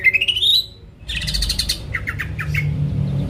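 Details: Greater green leafbird singing with an open beak, a lure song used to provoke rival birds: a whistle rising steadily in pitch, a pause, then a harsh buzzy burst and a few quick chipping notes over a low hum.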